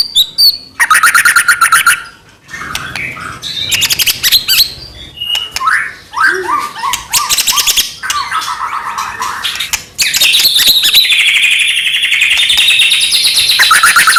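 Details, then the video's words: White-rumped shama song meant to provoke other shamas into singing: varied rapid trills and rattles, short slurred whistles and chattering phrases, closing in a long dense buzzy trill. "murai batu gacor AMPUH buat PANCINGAN murai batu agar bunyi"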